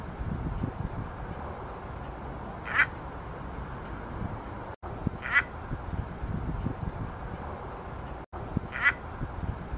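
A crested ibis gives three harsh, hoarse single calls, one roughly every three seconds, over a steady low rumble.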